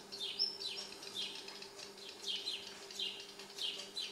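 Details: Fledgling Redstart that had just left the nest, sitting on a balcony in the evening of May 31, 2019, fed by its parents: soft, high, thin chirps repeated about every half second, with a steady low hum beneath.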